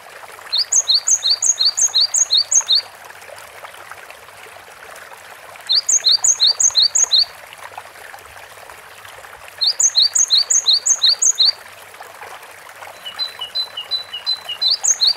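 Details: Long stretch of Cinereous tit song: four bursts of rapid, evenly spaced high two-note phrases, about six to eight per burst. Each burst lasts roughly two seconds, with short pauses between them.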